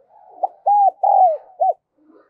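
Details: Decoy spotted dove giving its lure call: one phrase of four coos, a short note, an arched hoot, a longer falling coo and a short final note, over a soft continuous murmur.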